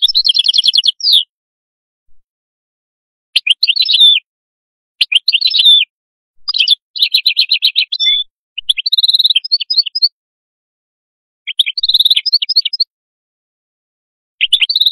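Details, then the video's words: Atlantic canary giving separate short bursts of song: rattling trills, chirped notes and a brief rolling tour, each burst lasting about one to two seconds and separated by short silences. "تغريد القادوس لاكونكورد"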